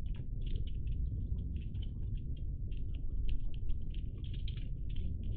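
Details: Several Iberian magpies, dated 03-10-20, keep up a busy stream of clipped, scratchy contact notes, some doubled, nearly continuous through the clip, above a deep steady background rumble.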